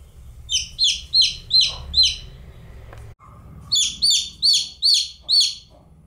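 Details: A single domestic chick chirping, given in two bursts of five to six loud, high, downward-sliding peeps about three per second, separated by a pause; a low rumble of background noise runs underneath.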